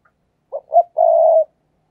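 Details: Spotted dove decoy singing 'thúc gù' style to attract wild doves. Two brief hollow notes lead into a drawn-out even coo lasting about half a second, with a quiet background.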